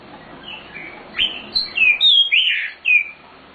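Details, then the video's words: Nightingale, known locally as sikatan londo, in a training master recording: a lively run of sweeping whistled notes rising and falling, several loud slurred phrases in quick succession. "Suara Sikatan Londo Nightingale Gacor Full Isian"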